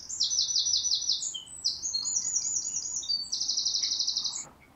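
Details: A wren, a regular garden visitor singing in a neighbour's tree, gives a loud, very high song of rapid rattling trills and sharp notes, almost nonstop for over four seconds, over faint background hum.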